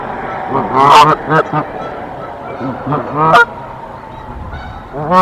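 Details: Canada geese at a Decorah nest fighting off an intruder on 1 April 2024. Low, hoarse honks overlap in a muddled cluster, then single sharper honks stand out over a noisy background.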